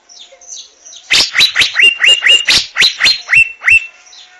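An Asian fairy-bluebird gives a quick series of about ten loud, liquid whistled notes, each sliding sharply, delivered a few per second. Faint high chirps sound beforehand.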